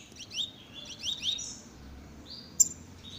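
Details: A very fast-singing Double-collared Seedeater sings a rapid run of high, clipped chirps, then drawn-out thin whistles and a sharp click, over a quiet low hum.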